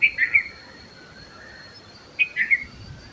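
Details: Red-vented bulbul delivering two lively three-note phrases, one at the start and another about two seconds later, each rapid and bright, over a continuous faint high tone.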